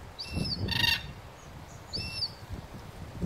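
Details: Red-tailed black cockatoos in a weeping princess tree at Duncraig, Western Australia, 11 January 2020: two grating, slightly rising calls under two seconds apart, with a brief rustle or wingbeat between and low background rumble.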